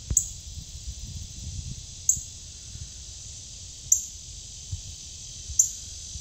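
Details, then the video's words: A male Northern Cardinal in the Ozarks, August 2022, gives sharp, high, metallic chip notes about every two seconds, over a steady insect drone and low background rumble. "Red Northern Cardinal Male Songbird Chirping"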